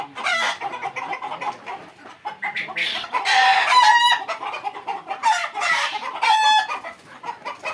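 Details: A flock of Fayoumi chickens of Egyptian stock, kept on a Bangladeshi farm in Bakshiganj, Jamalpur. Rapid chattering clucks build into several strained, wavering screeches around the middle and near the end.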